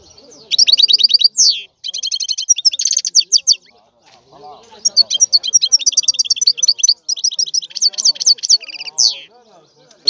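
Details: Lively European goldfinch song: fast twittering, buzzy rattles and sliding notes in almost continuous phrases, with faint low background sounds.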